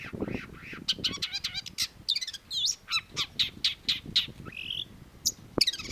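A Long-tailed shrike sings a rapid, varied medley of harsh chatters, sharp rising and falling whistles and buzzy notes, several per second, with faint low background noise.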